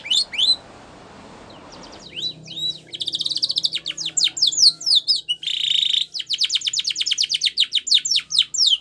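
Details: Canary training song beginning after two seconds of quiet background noise, then fast high chips, dense rolled trills, a buzzy roll and a rapid run of sweeping whistled notes.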